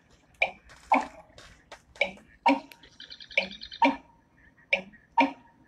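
An American Bittern gives hollow, gulping onka-chonk notes about every half second to a second, like water sloshing in a big jug; a faint higher chatter briefly joins.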